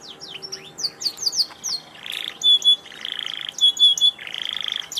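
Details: Canary in lively, full song: quick downslurred chirps give way to harsh buzzy bursts alternating with clear high whistled notes, repeated roughly every second.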